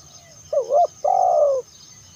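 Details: Spotted dove call used to lure other spotted doves: a short hooked coo followed by a longer, loud, level coo that slides down at the end, low and mellow.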